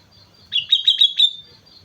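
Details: On Mount Slamet a sooty-headed bulbul sings energetically, giving four sharp, bright whistled chips in under a second, tightly grouped, with soft low noise in the background.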